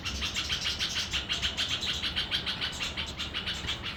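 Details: Red-vented bulbul chick giving rapid, repeated high chirps, about three per second, in a steady unbroken series, with a low background hum underneath.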